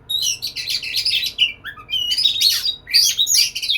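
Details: Caged white-rumped shama courting a female, pouring out fast, loud high phrases that mix buzzy chatter with clear gliding whistles, a brief pause in the middle, then another dense burst.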